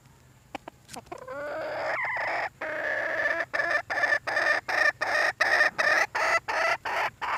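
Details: Red junglefowl hen calling for a mate: a few sharp clucks, then a long, loud, nasal, harmonic call that breaks into a fast run of short, evenly spaced pulsed notes, roughly three per second.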